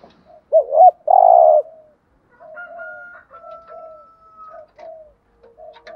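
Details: A lure spotted dove gives one thúc gù coo phrase meant to draw in wild doves: a wavering double note, then a long buzzy coo. It is followed by a high, thin drawn-out whistle and soft lower chirps from other birds.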